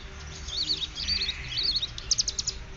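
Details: Caged hill prinia (ciblek gunung) learning a ngeriwik-style song, with bren Cililin cicada sound as tutoring material: quick high warbled chirpy phrases, then a short run of sharp repeated notes at the end.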